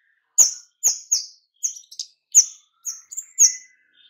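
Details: White-rumped shama delivering rapid, tightly packed lure notes meant to draw in other shamas and spur them to sing. Each note is a crisp click sliding into a high whistle, about eight notes spaced roughly half a second apart.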